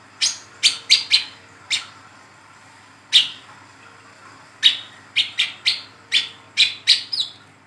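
A young brown-throated sunbird gives sharp, high chipping notes, singly and in quick runs of two or three, with irregular pauses; otherwise quiet.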